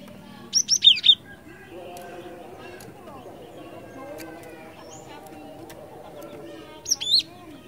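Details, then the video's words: Lure recording of a cinereous tit (glatik batu) in strong song: a rapid cluster of four high, slurred whistles, then a pause of several seconds before another pair, over a low steady hum. "Suara ASLI Glatik Batu Gacor Ngeeerool Ngeplong, 100% Ampuh Buat Pancingan"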